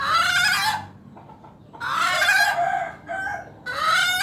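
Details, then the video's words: Unusual vocalising from a hen: three drawn-out, harsh, harmonic squawks, each under a second long, separated by brief quiet gaps with faint softer sounds between. "ayam bersuara aneh"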